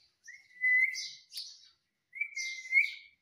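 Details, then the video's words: Ring-necked parakeet kept as a pet: two drawn-out level whistles, each about a second long, with brief harsh chirps overlapping them. "Cute Ringneck Parrot Talking Mummy Mummy"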